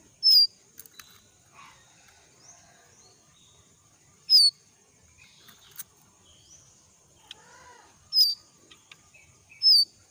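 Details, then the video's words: Moulting young jongkangan from the forest gives four sharp, high, downward-slurred whistled notes at uneven intervals, with faint scattered chirps and ticks between them against a quiet background. "suara panggilan ampuh burung jongkangan"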